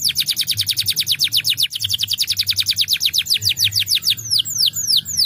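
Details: Canary song used to train and stimulate canaries to sing: a rapid, even trill of sharp downward-sweeping notes, about fifteen per second, that slows at the end into broader arching whistled slurs.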